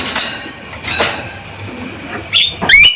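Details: Male Javan myna with crisp, ringing calls: soft clicks and rustling first, then loud rising whistled notes bunched near the end.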